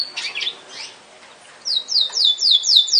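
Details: Yorkshire canary song: soft scratchy notes, a short pause, then a loud tour of evenly spaced downward-sliding whistles, about two per second.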